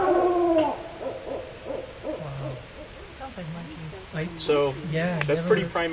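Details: Barred Owl in the Northern California redwoods, called in; wild, monkey-like hooting with wavering trills and a decrescendo, sliding down in pitch and timbre and fading at the end; a man's voice murmurs faintly underneath.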